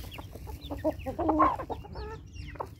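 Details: Chickens at morning feeding time, with a few loud, clipped clucks and brief nasal squawks rising over a steady low background hum.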